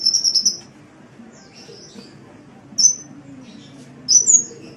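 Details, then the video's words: Sunbird (burung kolibri) on an Indonesian songbird training recording: a short high trill at the start, then two isolated piercing whistled chirps after long quiet gaps. "Suara Burung Kolibri"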